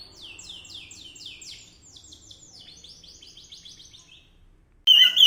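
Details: A bird sings a rapid, clean series of high downward-sweeping notes that gradually slow and fade, then a sudden loud harsh burst cuts in at the very end.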